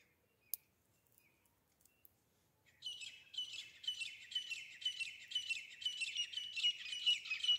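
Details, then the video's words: Grey francolin (desi teetar), a hunting call recording: a fast run of shrill, high repeated notes, roughly two a second, after a near-silent start with a few faint clicks. "desi teeter grey partridge grayfrionclin hunting sounds"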